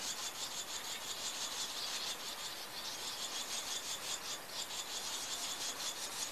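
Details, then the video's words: Swallow young calling in the nest as adults feed them, 21 June 2023: dense, buzzy, high-pitched chattering in rapid, fairly steady pulses throughout, over a faint hiss of background noise. "Swallows feeding young in nest"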